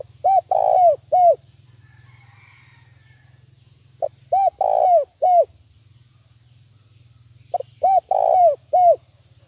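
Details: Spotted dove used as a lure bird to provoke wild doves for trapping. Three loud coo phrases arrive about every four seconds, each a quick stutter of short hooked notes into a longer mellow coo and a final drop, over a low steady hum.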